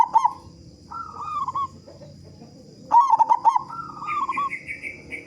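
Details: Local zebra dove with a big, loud voice, recorded as a lure to get other doves singing quickly: bursts of staccato, bubbling coos near one pitch, followed by a longer rolling phrase, with a higher chirping series from another bird at the end.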